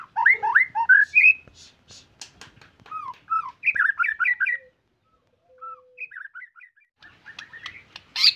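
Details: White-rumped shama singing actively, in short bursts of rich whistles and quick rising and falling notes, broken by clicks and brief silences, with a loud burst at the end.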